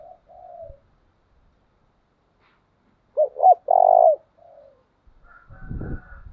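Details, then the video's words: Spotted dove decoy's 'chìm' coo for rousing doves: soft coos, a pause, then two quick notes and one long steady coo, followed by a faint higher note and low rumbling thumps. "tiếng chìm cu gáy mồi thúc bổi, luyện cu gáy mỗi ngày"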